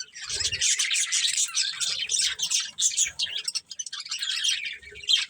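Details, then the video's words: Chirping budgerigars from a family group give a continuous busy warble of high, scratchy notes, with a brief dip near three and a half seconds and a low knock at the start. "Cute Budgies Chirping Sounds"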